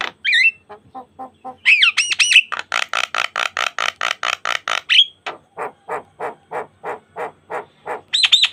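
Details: Song of an Asian pied starling, a lure for training other starlings: rising whistled and squawky phrases, then a fast series of loud rasping pulses, a clear upslurred whistle, and a steady run of softer chattering notes.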